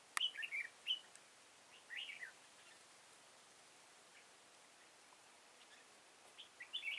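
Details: Trapping session for red-whiskered bulbul in Kim Bôi, Hòa Bình, 6 April 2017; a sharp tap opens a series of quick, jumbled whistled phrases, then a silent gap and another burst of chattering notes at the end.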